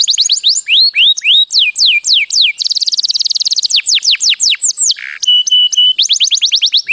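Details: Canary singing to teach its chicks: rapid series of descending whistled sweeps, a fast buzzy trill in the middle, then a low harsh note and steady repeated whistles, all high-pitched and loud with no other sounds.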